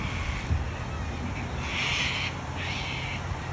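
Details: Wild cockatoo in Australia giving two harsh, raspy screeches, each about half a second long, over a steady low rumble.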